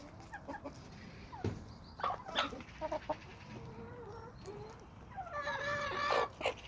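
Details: Homestead chickens and roosters in a small suburban flock, giving irregular clucks and sharp notes, ending in a louder drawn-out raspy squawk with rich harmonics near the end.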